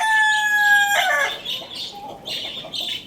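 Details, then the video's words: The loud, level, harmonic close of a Lohmann Brown rooster's crow at Lalukhet bird market breaks off sharply. Bursts of high chirping from many small caged birds follow. "Rooster Crowing Sound Effect"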